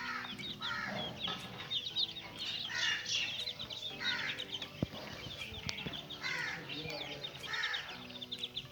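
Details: Group of small chicken chicks playing inside a cage, sending out bright repeated peeps in loose bursts, with scattered knocks and scratching sounds between the calls.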